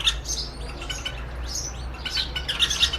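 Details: White-eared Bulbul pair on a window sill in Rajasthan, challenging their own mirror reflection in a duet song battle. Short slurred whistles and chirpy notes follow one another quickly, with a faint low hum underneath.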